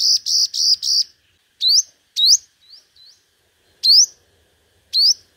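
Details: Five-coloured sunbird (hút mật 5 màu) singing in competitive lure style: four buzzy, harsh high notes in quick succession, then sharp rising upslurred whistles spaced about a second apart, with quieter short notes between.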